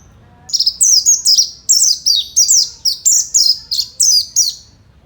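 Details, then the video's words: Fighter-style song of an Oriental white-eye, meant to make other white-eyes answer: a steady run of about twelve piercing high chirps, each sliding sharply downward, evenly spaced over quiet background. "kicau burung pleci fighter"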